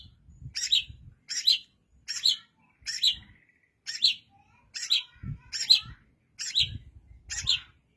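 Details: Long-tailed shrike giving a steady run of nine bright, harsh chirps, some sounding doubled, roughly one per second against a quiet background with occasional low thumps.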